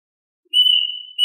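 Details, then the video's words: A single sustained, pure whistle from a plaintive cuckoo calling its flock, held level for over half a second before another note begins. "Tiếng hót chim Tìm vịt ( Gọi vịt)- Chim Gọi Vịt gọi đàn"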